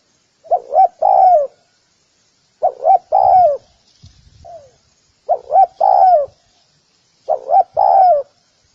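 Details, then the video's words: Lure call of a spotted dove: four repeated phrases of two brief coos then a long sliding coo, about two seconds apart, with a faint low rumble and a soft extra note in one gap. "Tiếng cu gáy gù kích bổi nhanh nổi"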